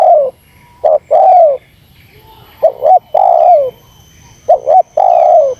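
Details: Spotted dove call used to provoke wild doves: a short double note then a long, mellow coo falling at the end, the phrase given three times, with a faint high steady tone behind.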